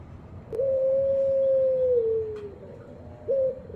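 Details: Ringed turtle dove giving a single sustained coo, steady and mellow for nearly two seconds before sliding lower and fading, then the brief start of another phrase.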